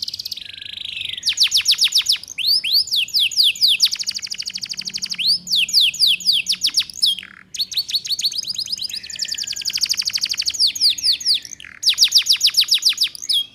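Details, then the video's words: Female canary in breeding condition luring males, played as a tutor for young birds learning 'ngeriwik' chatter. Long bursts of rapid, bright, high trills alternate with rising slurred notes, broken by short gaps, continuing steadily throughout. "Suara Pancingan KENARI Paud Cepat Belajar BUNYI Ngeriwik"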